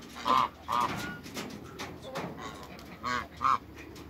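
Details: A pair of giant African geese kept in a backyard alongside other waterbirds: four short, nasal honks come in two pairs, early and late, with faint outdoor rustling in the gaps.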